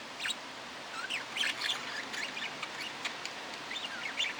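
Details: Budgerigar chattering with rapid squeaky warbles, clicks and short looping whistles in a continuous jumble.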